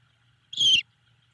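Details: Great horned owl owlet at a nest in Savannah, cheeping to greet its mother as she returns in the evening; one short, buzzy, high cheep lasting about a third of a second, with faint low background hum.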